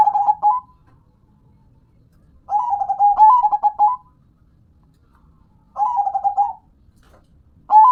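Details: Hobby-kept local zebra dove singing a series of rolling, stammering coo phrases at steady intervals of about three seconds, with a faint low hum behind.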